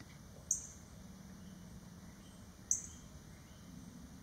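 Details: A Blue Grosbeak at a backyard feeder gives two sharp, high, metallic chink notes about two seconds apart over a steady low background hum.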